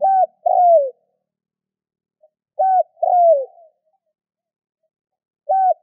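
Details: Spotted dove coo used to stimulate other doves to call; a short note then a longer downward-slurred coo, repeated twice with a third opening note cut off at the end, background otherwise silent.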